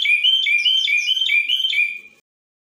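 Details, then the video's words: Common bulbul from Morocco performing a tachyiaa song with two changes: about two seconds of bright, fluty notes swinging up and down in quick, regular pairs, then silence. "تشييعة بتبديلين ما شاء الله من طائر المولوع"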